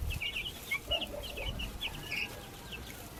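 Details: Backyard baby chickens chirping in a busy chorus of short, high, slightly falling peeps, with a few lower clucking notes mixed in.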